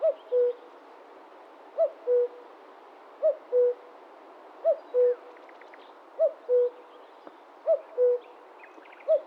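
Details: A wild Common cuckoo (Cuculus canorus) gives its mellow two-note 'cu-coo' song, the second note lower, repeated about every one and a half seconds, with faint chirps from other birds behind it.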